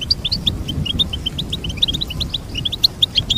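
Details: Goldfinch singing a steady stream of short, clear, high chirps and whistled notes, evenly spaced, over a noticeable low hum.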